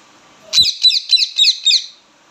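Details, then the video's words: Indian ringneck parakeet chirping loudly: five harsh, screechy notes in quick succession, about three or four per second, each a sharp upward-and-down rasp, ending abruptly; a brief low knock at the start, otherwise quiet background. "पहाड़ी तोता बोलने बाला🦜 ringneck parrot/natural talk sound"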